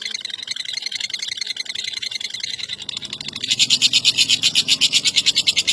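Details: Lovebird presented as a world-class contest winner: a murky, hissing start, then loud, rapid, evenly spaced harsh pulses.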